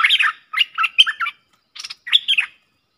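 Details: Streak-eared bulbul pair dueling in song, 30/10/2021, used for luring: chattery warbled phrases, a brief pause, then a harsh rasp and a downslurred final phrase.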